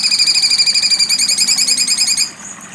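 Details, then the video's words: A cucak cungkok's sharp 'besetan' rattle: a rapid, buzzy, evenly pulsed high trill lasting about two seconds, then stopping abruptly into low hiss. "cucak cungkok besetan tajam"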